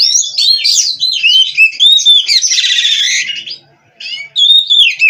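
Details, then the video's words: Oriental magpie-robin (kacer) from a Cirebon breeder in nonstop song: fast whistled slurs and chirps, a harsh buzzy rattle lasting about a second, a brief silence, then more bright rising whistles. "GACOR NONSTOP!! Rahasia Kacer Bikin Semua Kaget!"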